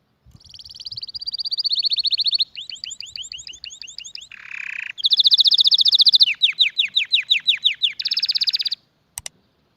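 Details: Canary delivering varied tours: a rapid high trill, a run of curved swooping notes, a short rasping buzz, then another fast trill, falling slurs and a bright final roll.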